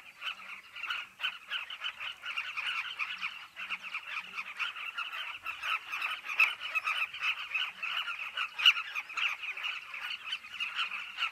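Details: Carmine bee-eaters massed at a cliff colony, their many burry, rolling calls merging into a continuous chattering chorus with occasional louder notes standing out.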